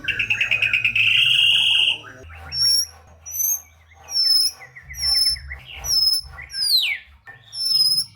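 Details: White-rumped shama song, full and lively, meant to stimulate lazy, unmotivated shamas to sing. A dense buzzy trill opens, then clear high whistled phrases repeat roughly every second, a few sliding steeply downward.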